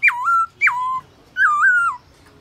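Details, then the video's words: Clear whistled phrase from a black-throated laughingthrush singing at midday in forest-style voice: two notes that drop sharply and then hold level, followed by a longer wavering, undulating whistle. "Khướu bạc má HÓT BUỔI TRƯA cực hay , Luyện khướu bạc má hót cả ngày, khướu bạc má hót giọng rừng"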